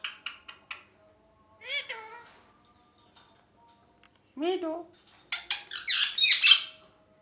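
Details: Pet green ringneck parrot indoors giving short harmonic chirps, then two rising screechy calls, ending in a loud harsh burst of squawks, with brief pauses between phrases.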